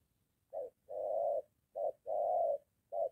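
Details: Spotted dove coos, from a moulting decoy bird trained near a home while a wild dove answers: brief hoot, long smooth note, another brief hoot, long note, then a short one, over faint low background rumble.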